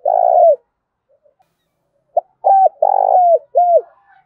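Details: Spotted dove used as a decoy, delivering a full 'thúc gù' cooing song in the loud Thổ Đồng voice style: a long mellow coo, a pause, then quick clipped coos and a drawn-out note, clear and close.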